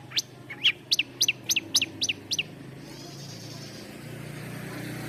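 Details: Long-tailed shrike giving a quick series of about ten sharp downslurred chirps in under three seconds, followed by only steady background noise.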